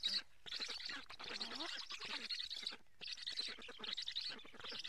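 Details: Live nest camera in Karula, Estonia, catching black storks at a July fish feeding: two long bouts of hoarse, wheezy, buzzing calls broken by a brief silence.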